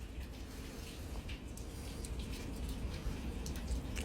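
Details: Running and dripping water in a small indoor room, with a steady low hum and no animal calls.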